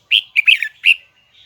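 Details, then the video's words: A single brisk phrase from a Huế-style red-whiskered bulbul in high, double-twisted voice: three or four loud, ringing whistled notes, slurring up and down, then a short trailing note. "CHÀO - MÀO - HUẾ Bung giọng nghe cực đã || Giọng cao kép xoắn nghe mãi không chán"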